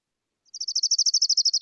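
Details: Orange-crowned Warbler song, a junco-like trill that can change pitch: a fast, high trill of about fifteen even notes in just over a second, dipping lower at the very end, with no other sounds.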